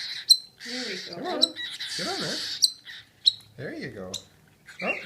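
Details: Hand-fed cockatiel chick begging with hissing, wheezy rasps and sharp clicking squeaks, broken by short stretches of a person talking softly.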